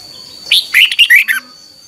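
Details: One brief phrase of red-whiskered bulbul morning training song: about five quick, liquid whistled notes sliding downward, over a steady faint high-pitched hum.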